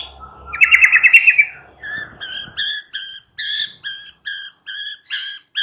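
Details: Afternoon white-rumped shama song used to prompt a kept bird to answer: a short buzzy trill is followed by a steady series of bright, ringing whistled notes, roughly three per second.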